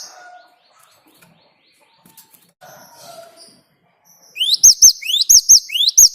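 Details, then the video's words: Great tit singing as a lure to prompt other birds. Faint scattered chirps at first, then a loud run of rapid two-part phrases, each a rising sweep ending on a sharp high note. "Ngalas Ngerol Burung Gelatik Batu Gacor buat Pancingan"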